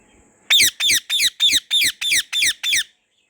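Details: White ringneck parrot (rose-ringed parakeet) kept as a pet, enjoying itself in a garden: eight loud, harsh, shrill squawks in a quick, steady series, roughly three each second, with near silence before and after.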